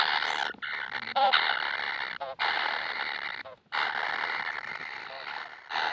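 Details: Kingfisher babies pleading for food: drawn-out harsh buzzing rasps, several in a row, each cut off by a brief pause.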